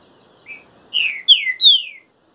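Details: Green-winged saltator singing during moult: a soft short note, then three loud whistled slurs, each sliding downward and rising slightly in starting pitch, in a quick phrase lasting about a second, with a quiet background.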